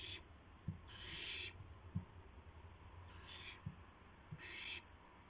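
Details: Owl at 2:51 AM on 2 April 2016, bringing a gopher to another owl: three harsh, hissing bursts about half a second long, spaced irregularly, with low knocks and thumps between them.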